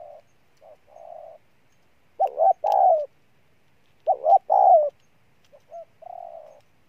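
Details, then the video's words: Spotted dove decoy bird giving soft even coos, then two loud throaty double coos, each a short hiccup note followed by a longer warbling hold, ending with quieter sustained coos. "Con Bổi Gù Trâu Bò nhất năm"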